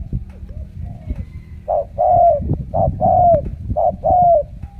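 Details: Caged spotted dove from Ca Mau, Vietnam, a trained bird known locally as a 'siêu gù' cooer, starting with soft notes and then giving strong paired coos, one short and one longer, repeated about every second.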